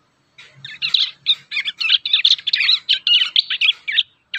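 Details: Wild young prinias learning their song, giving a fast, dense, scratchy twitter of high chirped notes in quick bursts, with brief gaps, continuing almost without pause, in otherwise quiet surroundings.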